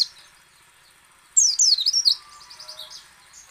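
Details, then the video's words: White-eye singing a brisk burst of high, zigzagging twitters after a quiet start, fading into softer trailing chirps; recording meant to prompt other white-eyes to sing. "PLECI ngecal, ngalas dan nembak AMPUH memancing pleci buka paruh."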